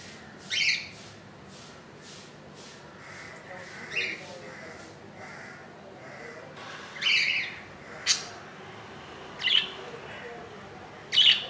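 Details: Nest of budgerigars where a tiny chick hatched at 2 AM on 15 July 2018, now two days old; six sharp, high chirps spaced one to three seconds apart, with softer repeated ticking early on.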